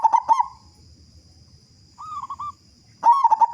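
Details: Vigorous local zebra dove with a big voice, used to coax other doves into song. It opens with the end of a loud gurgling phrase, has a quieter cooing phrase mid-way, and closes with another loud rapid, bubbling burst. A steady high whine sounds underneath.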